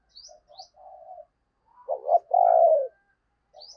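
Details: Spotted dove used as a decoy to draw in wild doves. A few soft, short coos come first, then a louder wavering double note and a long, drawn-out falling coo. Faint high chirps are heard at the start and end.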